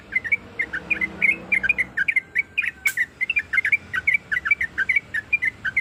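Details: Calling female sooty-headed bulbul, a lure for quiet birds: evenly spaced, sharp two-part chirps with quick up-and-down inflections, repeated throughout, and a brief click partway through.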